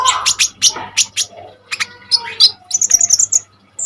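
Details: Common iora in full song, used as a tutor for kolibri ninja birds; quick sharp chips, then a rapid run of high whistled notes before a pause.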